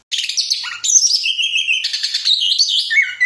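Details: Orange-headed thrush pouring out an unbroken rapid song of high, rattling trills, whistled sweeps and a brief low slurred note, notes tumbling densely together throughout with no background sounds.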